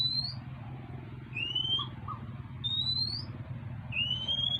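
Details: Begging for food, an Oriental magpie-robin gives four drawn-out rising whistles that alternate high and low, roughly every 1.3 seconds, against a constant low rumbling hum.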